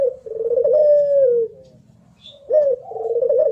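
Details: Puter pelung Barbary dove, a contest bird. Its long, vibrating coo holds level and then slides down. After a pause a new phrase starts with a sharp rising note followed by a rolling trill. Quiet low hum underneath.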